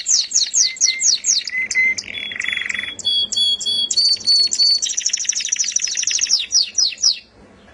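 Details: Canary singing melodiously: a fast varied song of high trilled phrases, steady whistled notes and buzzy rattles changing every second or so, all high-pitched with no other sounds.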